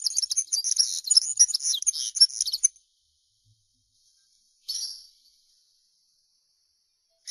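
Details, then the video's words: A linnet gives a bright, jumbled twittering burst lasting close to three seconds, followed by silence and a single short, high phrase. "Chant De Linotte"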